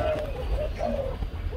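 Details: Male spotted dove wearing two green leg rings, father of two newly hatched chicks, gives soft, low, hollow coos in a deep "bronze" tone, sometimes very deep, sometimes half-deep; a man talks quietly in the background.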